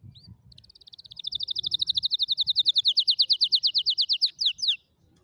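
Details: Canary song used for teaching young canaries to sing: a brief high note, then a long, fast, evenly paced trill of bright repeated notes that grows louder, ending in a few slower downslurred notes.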